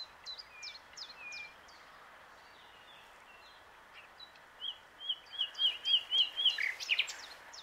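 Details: Common nightingale (Luscinia megarhynchos) singing on its branch at the Plan d'eau du Breuil, Bourbon-Lancy. Scattered thin, high notes come first, then a rapid series of repeated whistled notes that builds to its loudest phrases at the end, over steady background hiss.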